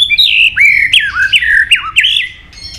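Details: White-rumped shama song, a bird much sought after by songbird keepers: loud fluid whistled phrases sweeping up and down, with slurred notes repeated about every half second, then fading.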